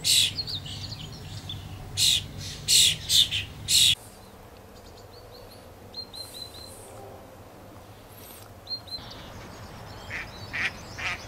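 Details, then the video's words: Great spotted woodpecker giving a run of about six sharp, loud, very short calls over the first four seconds, then quiet with faint high chirps from other birds in the background. "grote bonte specht"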